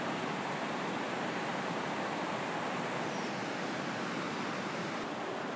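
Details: Constant broadband rushing of flowing water in Southern Amazonia, without distinct animal calls.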